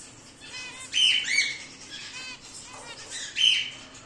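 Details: Cockatiel, possibly a whiteface emerald or an exhibition grey male, gives two loud, harsh, rising screeches with softer chirps between them.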